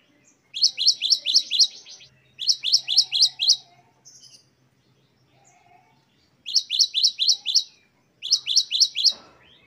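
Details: Great tit song in the 'wucit-wucit' style, a tutor recording with ten variations: four bursts of five or six rapid, high, sharply repeated two-part notes, separated by short pauses, with faint low hum beneath.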